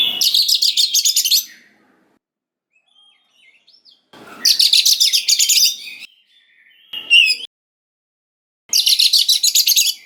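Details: Three bursts of fast pulsed buzzy rattling, several seconds apart, from a white-rumped shama, with a brief twisting whistle between; a song for provoking young forest shamas to reply.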